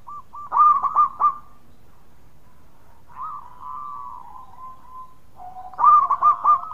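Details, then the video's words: Loud local zebra dove song with other doves replying: stuttering bursts of low coos open and close the passage, separated by softer drawn-out purring tones. "Raja Suara Keras Perkutut Lokal Gacor Sekali Bunyi Ikut nyaut Semua"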